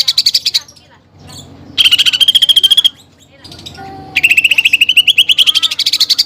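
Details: Greater green leafbird, singing without pause, its song filled with imitations of a fighting sparrow and a woodpecker. Three bursts of rapid pulsed trills, the later ones rising in pitch, with quiet gaps between.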